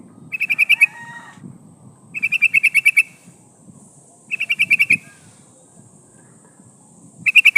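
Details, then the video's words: Yellow-vented bulbul female calling a male to lure wild birds: four bursts of rapid chattering notes about two seconds apart, over a steady low background murmur and a thin high hiss. "SUARA burung trucukan gacor memanggil lawan pancingan trucukan betina memanggil jantan"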